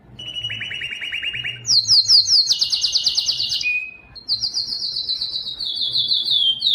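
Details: Breeding song of a Belgian canary, sung loud to draw females: a descending pulsed trill, then a very fast high rattling tour, a short flat whistle, and a sustained high buzzy trill, over a faint low hum.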